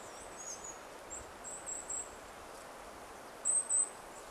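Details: A Goldcrest on 18 November 2012 gives very high, thin, needle-like 'see' notes, singly and in quick pairs, against a soft background hiss.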